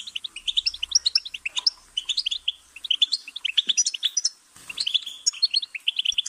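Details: Lively goldfinch warbling, a tumbling series of sharp, high chirps and twitters in quick bursts, one brief pause near the middle, otherwise quiet background.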